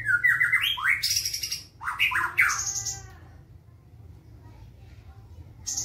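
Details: White-rumped shama with a black tail, singing fast, dense fighting song with harsh tones: rising whistled slurs and loud buzzy, rasping bursts for three seconds, then quiet with low hum.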